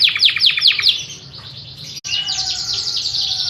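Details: Long rolling song of a Yorkshire canary: a series of quick sharp downslurred notes, a softer lull, then a dense fast trilled roll after a brief break.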